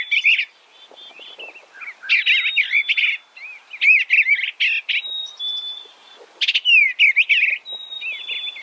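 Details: Eastern bluebird warbling in quick clustered phrases of slurred, wavering notes. Another bird answers with a thin, steady high whistle held between the bursts.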